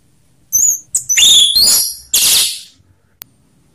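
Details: Ngeplong-style song of an orange-headed thrush, rough and slow phrasing, used as a lure for other birds; a few loud, very high, rich phrases with a sliding whistle, then a single sharp click.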